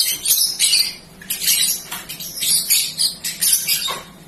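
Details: Balibu, a young prospect songbird, rambling on with a jumbled song: dense, high, squeaky twittering phrases a half-second or so long, a few dropping notes, separated by short gaps.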